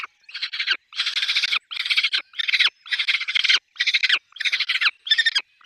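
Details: At a nest with chicks, a peregrine falcon calls in grating, pulsed cackles, eight or so rough bursts in quick succession with brief silent gaps.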